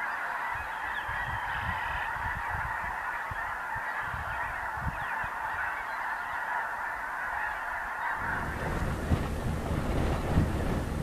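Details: Dense chorus of snow geese, with blue-morph birds, Ross's geese and other waterfowl, feeding and loafing during spring migration through the Dakotas on the prairies; continuous overlapping nasal honking from a large flock, with low wind rumble growing louder toward the end.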